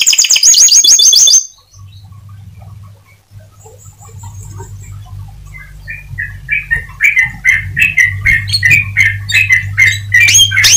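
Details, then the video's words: Atlantic canary singing to encourage other canaries to sing: a brief high rapid trill, a quiet pause, then a building series of quick repeated whistled notes with a low hum underneath. "Suara Burung Kenari Untuk Memancing Kenari Agar Tetap Gacor."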